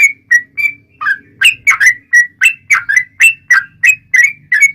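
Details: Long fighting song of a yellow-vented bulbul used to provoke replies from other bulbuls. Short whistled notes start sparse, then become a steady run of rising and falling slurs, with a faint low hum in the background.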